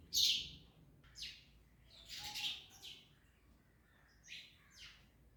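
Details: Parrots munching an orange produce sharp rasping screeches, one loud burst first and then softer separate calls about a second apart.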